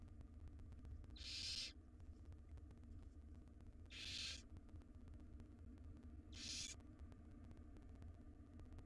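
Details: Nest-box barn owl nestlings, wild, begging while their mother delivers a jird: three evenly spaced harsh hissing bursts, each about half a second, roughly every two and a half seconds over low hum.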